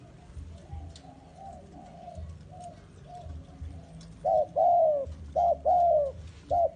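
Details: Spotted dove used as a bait bird, ready to be taken into the forest to lure wild doves: soft, distant cooing at first, then loud close coos, each a short note followed by a longer falling, slurred phrase, over a low hum.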